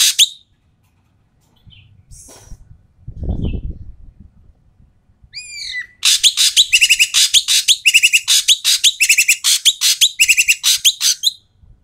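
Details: Noisy Asian pied starling with loud, coarse calls used to get lazy starlings singing: brief rustles and a low thud, a descending whistle, then about six seconds of fast, repeated rasping chatter.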